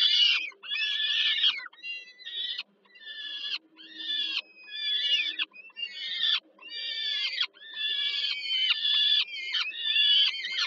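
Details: Peregrine falcon young screaming for food as the mother feeds them at dinner, Żerań nest, Warsaw, Poland, 15 July 2022; steady series of coarse, wheezy screeches about once a second over a faint low hum.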